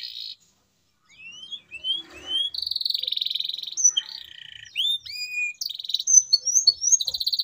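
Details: Canary singing, offered as a trigger for silent canaries: thin rising whistles, steady buzzy trills and short upward slurs after a brief pause at the start.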